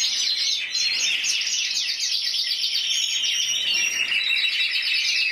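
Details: Single intense yellow canary, Spain's 2014 champion at 94 points, singing dense rolling trills that shift between higher and lower phrases, with sharp rising and falling notes throughout.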